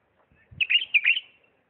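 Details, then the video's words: A bulbul, apparently from Diyala, sings one brief, bright phrase of four or five quick, fluty, slightly rising warbled notes after a faint low thump. "اجمل تغريد بلبل"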